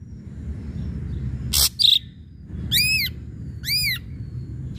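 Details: Ashy drongo song used as a lure to provoke other birds into singing: two short harsh broadband bursts, then two loud arched notes rich in overtones, rising and falling, about a second apart, over a low steady rumble.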